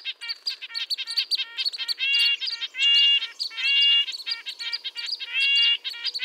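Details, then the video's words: Red-breasted nuthatch giving high-pitched, nasal, tin-trumpet-like calls, delivered as a rapid series of short harmonic notes with several longer drawn-out nasal notes, about seventy per minute, clear and loud with no other sounds. "Red-breasted nuthatch sounds, Sounds of the Canadian Nuthatch"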